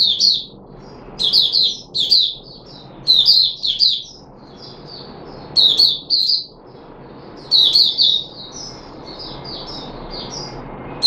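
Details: Captive red-whiskered bulbul (puteh raja) on 13 April 2021, during a feeding trial with fruit juice, one mealworm and a health supplement. Loud, bright warbled phrases come in bursts about every two seconds, with short silent gaps between them.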